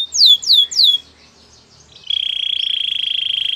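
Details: Canary training song: three loud falling whistled notes, a short quiet pause, then a rapid, even, buzzy trill held steadily.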